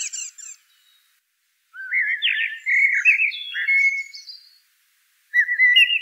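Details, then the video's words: Common blackbird (Turdus merula) singing: rich, low warbled phrases around the mid range, rising and falling, followed by a higher twittering flourish, with pauses between phrases; no other sounds. "Bird Song - Common Blackbird"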